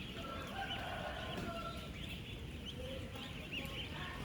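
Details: A mass of 10-day-old farm ducklings, sixteen thousand strong, calling as they interact: countless thin, high, arched peeps blend into an unbroken chatter, with one faint drawn-out tone early on and low rumbling noise throughout.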